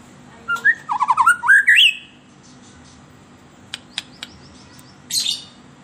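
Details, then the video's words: White-rumped shama song played as a lure for captive birds: a quick rising run of sweet whistled notes with chattering clicks, then a few isolated sharp ticks and a brief high rasp. "SUARA MERDU PANCINGAN MURAI BATU EMOSI"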